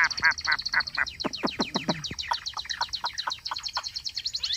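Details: Chinese hwamei cage bird singing rapid, repeated falling notes that merge into a fast, chattering high trill.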